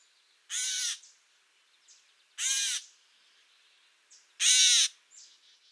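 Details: Gray Catbird in dense thickets giving a shorter, raspier variant of its mew call: three short, harsh, raspy mews, each about half a second long and spaced two seconds apart, with faint soft notes between.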